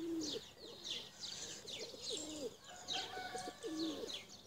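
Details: Tumbler pigeons, some blue, in a flock being flown. Low rolling coos rise and fall repeatedly, overlaid with higher chirps and scratchy notes from other birds.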